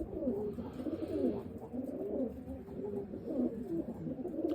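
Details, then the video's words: A male sabuni domestic pigeon gives low, rolling coos, several in quick succession with a throaty, bubbling rhythm, over a faint indoor hum; he is paired with a female that will not approach him. "sabuni erkeğimiz bu şekilde ötüyor."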